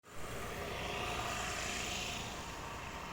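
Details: Steady engine drone, like a passing aircraft or vehicle, fills the whole stretch with broad rushing noise and no animal calls.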